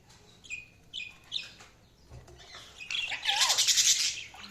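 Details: Budgies chirp in short high whistled notes every half second or so, building into a dense, loud, buzzy warble near the end, with a brief lower wavering note.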